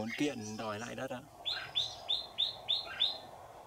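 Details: Red-whiskered bulbul at a trapping site, where the trap branch was moved three or four times before a wild bird came. Men talk first, then six bright, clipped notes repeat about three per second, each rising then dropping.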